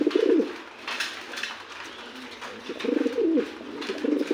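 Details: An adult male Andalusian pigeon gives low, rolling coos in two bursts about half a second long, separated by a pause, with faint room noise behind.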